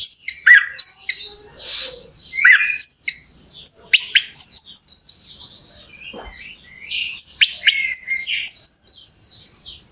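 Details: Orange-headed thrush singing as a lure meant to rouse a bird into song: rapid varied chirps, clear upslurred whistles and short trills in quick succession, with brief quieter gaps.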